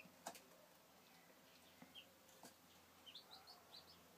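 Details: Young domestic chicks, 2013, giving a few faint, short high peeps, mostly in a loose cluster near the end, with sharp clicks and knocks and a low steady hum behind.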